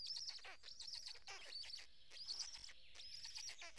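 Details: Black stork storklets being fed at the nest in Karula National Park, Estonia, early morning in May, the fourth chick newly hatched; dense shrill squealing chirps with wavering high notes, nearly continuous.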